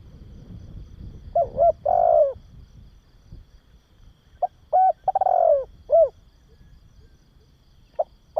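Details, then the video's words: Cooing of a spotted dove, used for stimulating and training young doves. Two full phrases and the start of a third: a soft lead note, a rapid rattle merging into a long falling coo, then one round closing coo. Quiet background. "Tiếng Chim Cu Gáy Kích Bổi Và Luyện Cu Gáy Non"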